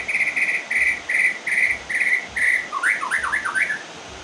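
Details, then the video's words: White-rumped shama just finished moulting, singing in the rain: six buzzy repeated notes at one steady pitch about half a second apart, then a quick run of rising and falling slurred whistles over a faint hiss of rain. "MURAI BATU SELESAI MABUNG!!"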